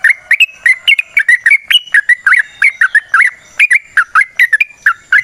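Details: Yellow-vented bulbul (trucukan) singing a long, rapid 'ropel panjang' style in the wild, recorded as a lure. A fast stream of bubbly, liquid whistled notes flows almost without pause against a quiet background.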